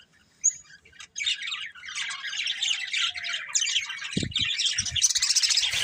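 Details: Budgerigar breeding pair: a single sharp squeak, a short pause, then from about one second a continuous, scratchy, high-pitched chattering warble to the end, with a few low knocks midway.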